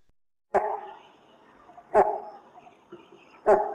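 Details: In a valley filled with thick forest of huge trees, a Great Hornbill (Great Pied Hornbill) gives three loud, hoarse, cough-like barks about every one and a half seconds, each trailing off in a forest echo.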